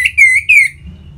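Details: Orange-headed thrush (anis merah) in ngeplong style, used to prompt caged birds to sing: two clear, loud whistled notes, each sliding slightly downward, on a quiet background.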